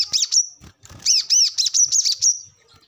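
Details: Brown-throated sunbird singing, recorded for training captive birds: short, high, arched whistled notes with sweeping tones, delivered in a quick uneven sequence, some faint low thumps in the background.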